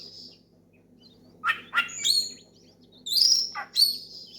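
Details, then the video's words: Oriental magpie-robin in loud open song, calling a rival and prompting other magpie-robins to sing: a few scattered whistled notes and short rising chirps separated by pauses, over a faint low hum. "SUARA KACER MEMANGGIL LAWAN NGEPLONG KERAS BIKIN KACER LAIN IKUT GACOR"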